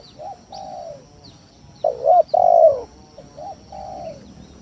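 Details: Spotted dove luring rivals with steady calling: gentle mellow coos, a loud rasping double coo in the middle, then softer coos again; high thin chirps from other birds in the background.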